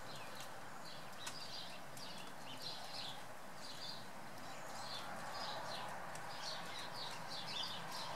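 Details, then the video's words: Eurasian blue tit calling: short, thin high chirps repeated about four times a second in loose, uneven series over a steady hiss of background noise. "Mésange bleue (Cyanistes caerulescens) blue Tit"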